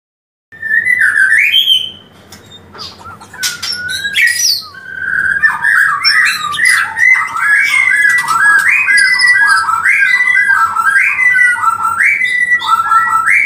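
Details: White-rumped shama song played to raise breeding urge in birds lacking mating drive: loud, varied whistled phrases sliding between mid and high pitch, with rapid rising and falling notes repeated in quick, irregular bursts.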